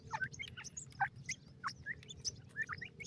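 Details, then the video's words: Grey francolin chicks at feeding, giving sparser, clear chirps and short downslurred squeaks spaced a fraction of a second apart, over a steady low background hum. "teetar baby, teetar bird, teetar chicks feed"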